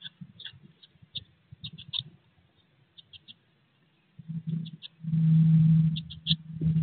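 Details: Blue tit babies, 16 days old in a nest box shortly before departure, utter scattered high cheeps amid rustling, then a loud low scraping rumble near the end partly covers them.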